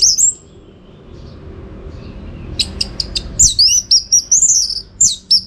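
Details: Orange-headed thrush, kept for song contests in North Bali, Singaraja: a single high note, a long pause, then quick clicks and a run of high whistled, slurred notes in rapid succession.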